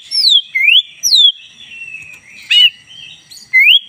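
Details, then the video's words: Oriental magpie-robin, black-breasted form, in a tutor song recording: a few separate clear whistles, some falling and some rising, with short pauses between them and a brief harsh note midway. "joss!! 10 menit masteran kacer dada hitam GACOR"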